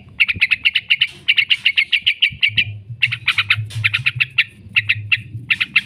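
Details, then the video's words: Lure recording of a yellow-vented bulbul's long 'ngekek' chatter for training kept birds: near-continuous rapid, sharp high notes in quick runs, a low steady hum in the background. "trucukan gacor ngekek panjang sekali pancing jadikan burung trucuk sekampung emosi nyaut"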